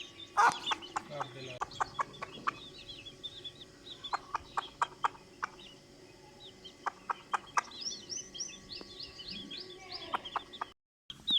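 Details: Hen calling its chicks: short, soft clucks repeated at irregular intervals, with high thin peeping from chicks near the end and a steady low background hum.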